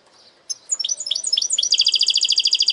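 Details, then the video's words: Segmented song from a goldfinch hybrid, with quick liquid twitters accelerating into a steady, rapidly repeated buzzy trill in the high register. "Saka Melezi Parçalı ötüm"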